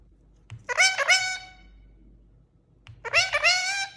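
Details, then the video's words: Pet Indian ringneck parakeet calling while walking; two loud, drawn-out raspy squawks with stacked harmonics, each about three-quarters of a second long, separated by a two-second gap, over a faint low hum. "Parrot Walking And Making Noise"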